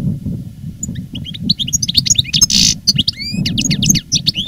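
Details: Veteran caged European goldfinch, a master reclamo singer recorded live in 2017 after its moult, delivering a dense run of rapid twittering and tinkling notes with buzzy trills and quick liquid phrases, over low background rumble.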